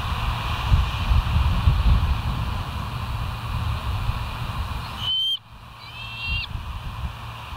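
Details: Bald eagle at the West End nest, filmed by a live nature cam on 08/04/2023 at 05:22: after a steady low rumble, a few thin, high, slightly rising whistled notes with a short chittering run, over constant background hum.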